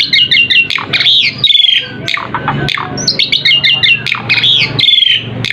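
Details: Asian pied starling lure song meant to prompt other birds to call back: quick repeated chirps, slurred downward whistles and scratchy chatter, the phrase pattern returning about halfway through.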